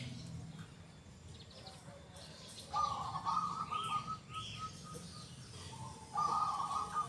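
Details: Local zebra dove singing with a loud, clear 'kung' voice. After a quiet start it gives a long, burbling coo phrase that breaks into spaced pulses, then another strong coo. Two rising chirps from another bird sound mid-way.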